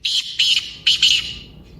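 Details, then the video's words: Black francolin call meant to stir a quiet pet francolin into calling: four loud, rasping, buzzy notes in two pairs within under two seconds, fading away at the end. "کالے تیتر کی مست بولنے کی آواز | Kaala Teetar Short Voice / Kalay Teetar Ki Awaz"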